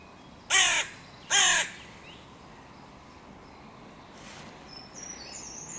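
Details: Two loud, raspy caws in quick succession, under a second apart, then quiet with faint distant calls; crows contesting the meeting point of three breeding pairs' territories beside a music pavilion in König-Albert-Park.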